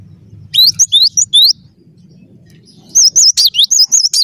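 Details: Cinereous tit (gelatik batu) singing gacor: five clipped, upward-sweeping whistles, a pause, then a faster phrase of rippling, looped high notes over a soft low drone.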